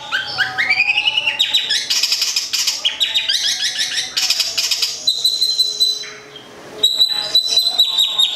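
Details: Varied song of a local long-tailed shrike from Gedong Songo in Central Java, opening with rising whistled slurs, then dense scratchy warbling and harsh bursts, ending in steady high tonal notes.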